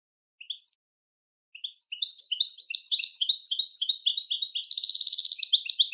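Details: Training song from a European goldfinch: a few scattered high chirps, then a building stream of quick tinkling twitters that runs into a rapid buzzy trill and more twittering.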